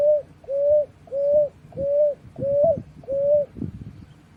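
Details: Soft whistled notes from Picui ground dove nestlings, each short note swelling and holding a steady pitch, six in quick regular succession; low rumbling handling noise beneath the last calls.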